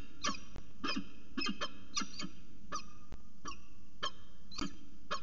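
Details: Peregrine falcon pair calling back and forth in a long afternoon exchange at Charles Sturt University, Orange, 13 January 2019, around 4:19 pm; harsh, buzzy notes repeated about twice a second over a steady low rumble.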